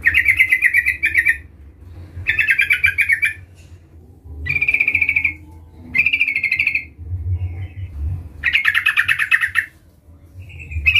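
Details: Sooty-headed bulbul repeatedly calling a rival, giving five or six bursts of dense, buzzy chattering, some more whistled and steady, every two seconds or so, with low background rumble.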